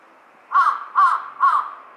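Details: Three loud, rough caws from a large-billed crow, delivered in quick succession about half a second apart, each a hoarse, slightly nasal bark.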